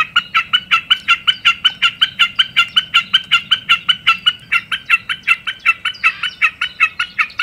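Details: {'caption': 'Common snipe song, a loud, evenly paced run of clipped two-part notes repeated roughly three times a second, giving a rhythmic chipper-chipper effect against a quiet background.'}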